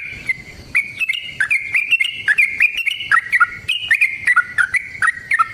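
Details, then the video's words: Lure recording of a yellow-vented bulbul's rapid, sustained fighting song: continuous bubbly chatter of short fluty notes stepping up and down, each with a click, delivered without a break. "Suara Burung TRUCUKAN gacor TARUNG ROPEL PANJANG pancingan trucukan agar JADI trucuk gacor EMOSI"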